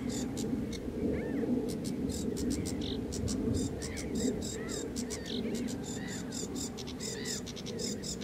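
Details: Sedge warbler singing a scratchy, chattering series of high clicking notes in irregular clusters, mixed with short rising and falling whistled phrases over a constant low rumble.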